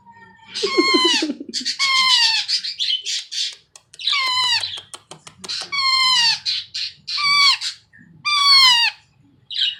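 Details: Pet baby Indian ringneck parakeet about four months old, fed and cuddled but crying for extra attention: repeated harsh, nasal, harmonic squawks, each roughly half a second to a second long, with short gaps between.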